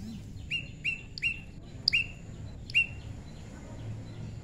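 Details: Tame prinia in natural pairing, uttering a short sequence of five clear, flat-pitched chirps, each with a brief sharp lead-in, then falling quiet.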